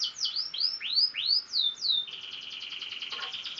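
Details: Six-month-old F1 canary learning to sing: a series of repeated downward-curving whistled sweeps, about three per second, then a fast buzzy trill.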